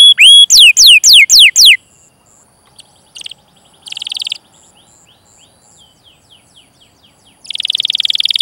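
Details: Canary song meant as a lure for young or non-singing canaries: six bright downswept whistled notes in quick succession, then a near-silent stretch with brief faint buzzy bursts, closing with a loud rapid rolling trill.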